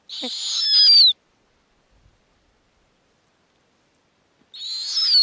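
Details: Snowy owl owlets on the nest in the Arctic, being fed lemmings by their mother. Two rasping, hissy screeches about a second long, each ending in a downslurred whistle, with near silence of about three seconds between them.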